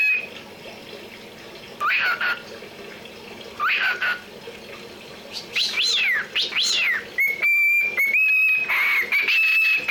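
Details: A cockatiel chatters in mimicked speech, apparently saying "Johnny", with swooping, bright whistled phrases and a few steady held whistles.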